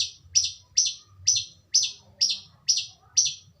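A Long-tailed Shrike gives a string of harsh, scratchy, high notes, about two per second, each falling slightly, over a faint low rumble.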